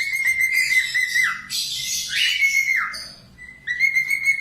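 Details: Budgerigar, a very vocal singer, recorded as tutor song for training cockatiels: sustained whistled notes that hold steady then slur downward, interleaved with loud buzzy, raspy chatter bursts and a brief quieter pause before the whistling resumes.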